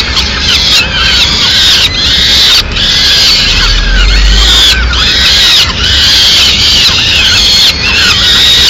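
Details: Loud begging from peregrine falcon nestlings in Madrid while their mother delivers a small bird at mid-morning; shrill, harsh screams in rapid overlapping bursts, arching notes repeated about once a second.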